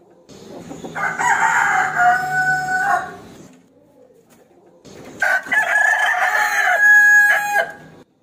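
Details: Rooster crowing, calling a rival to fight: two drawn-out crows of about two seconds each, harsh and harmonic, separated by a short quiet gap.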